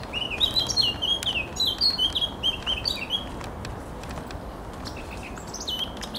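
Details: Eurasian blackcap singing on 7 June 2023: a fast, bright warble of high, looping whistled notes for about three seconds, then a few scattered sharper notes later, over a steady hiss of background noise.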